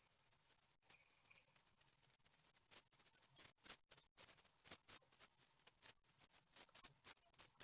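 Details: Ninth-day great tit nestlings being fed at an Ostwald nest, 15 June 2020, webcam recording. Loud, fast, overlapping high-pitched cheeping squeals pour out continuously, with scratchy bursts of movement.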